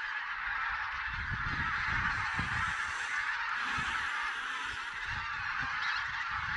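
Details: A large flock of geese, possibly Barnacle, White-fronted, Greylag and Bean Geese, recorded during a goose count in Silesia, Poland, on 11–13 November 2016, honks continuously in overlapping nasal calls over low wind or handling rumble.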